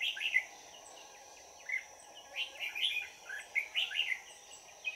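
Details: Lively red-whiskered bulbul decoy at a trap, 22 December 2018, singing to attract wild birds; repeated cheerful, chirpy warbled phrases in close succession, with a steady high hum and low noise underneath.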